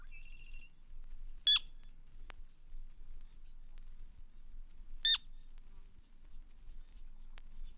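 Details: A Sora on a vintage birdsong LP played over speakers gives two sharp, whistled rising-then-falling notes about three and a half seconds apart, after a brief high trill, over a low room hum.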